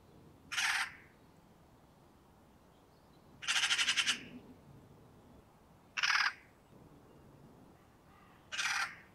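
Eurasian magpie giving four harsh, rasping, rattle-like calls, each under a second, spaced roughly every two to three seconds against a quiet background.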